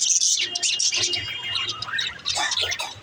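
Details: Parakeets warbling: quick high chirps mixed with short whistled tones and a gravelly, gargling undertone, ending in a brief dip.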